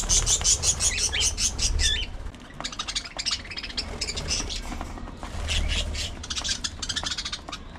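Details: Early morning feeding time with several budgerigars; rapid high chirps and warbled notes come in bursts, with a low rumble and clatter underneath.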